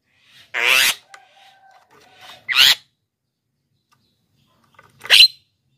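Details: Black-winged myna song used to lure wild birds and train lazy singers: three loud, harsh, broadband bursts spaced irregularly, with a faint steady whistled tone in between.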